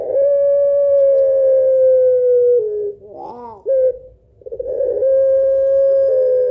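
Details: Barbary dove of the pelung type giving its long, rhythmic kuwok lure song: a sustained coo over two seconds with a step down, a brief wobbling laughing phrase, then another long steady coo.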